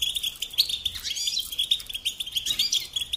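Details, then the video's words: Tutor song of a European goldfinch for training young birds: continuous high, tinkling twitter of fast chirps and short trills, with a brief downward-sliding note just after one second and another burst at two and a half seconds. "Teaching Singing Lessons Through Goldfinch Motives"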